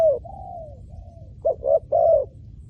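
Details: Spotted dove call for luring wild doves to the ground: a long, gently falling coo, then a pause, then a phrase of two short coos and a fuller sustained one. Low background hum.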